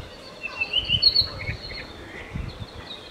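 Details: Apapane in Hawaii Volcanoes National Park, a big individual just resting; a quick run of high sharp whistled and chipping notes early on, then softer slurred notes fading out, with low rumbling thumps beneath.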